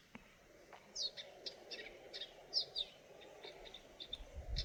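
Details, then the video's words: Eurasian nuthatch heard faintly in a quiet setting, giving a scattered series of short, high, sharp chirps, some downward-slurred, spaced irregularly over a few seconds, with a soft background hiss. "Nuthatch chirping sounds"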